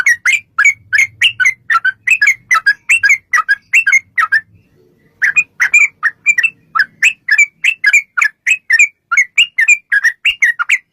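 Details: Sooty-headed bulbul long 'ropel' song for luring bulbuls to respond: a steady series of quick, slurred, whistled notes, about three per second, with one short gap and faint low noise.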